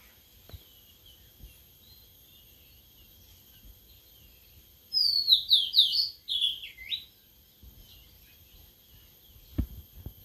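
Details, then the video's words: Sulingan laut (tledekan laut), a bird only three days in care, starts singing. It gives a quick string of high whistled notes that step downward over about two seconds. Faint knocks are heard at both ends. "Baru Dirawat 3 Hari Sudah Mau Ngeplong🥰🥰🥰 Burung Sulingan Laut/Tledekan Laut"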